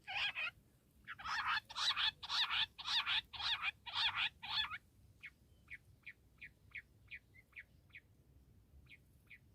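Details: Bush quail giving a rhythmic series of loud, rasping bursts, about two per second, for nearly five seconds, followed by quieter, brief chirping notes repeated at a steady pace.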